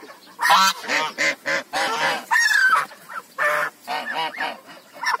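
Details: Several African geese honking: loud, harsh, harmonic blasts in quick succession, some rising, with short pauses between bursts.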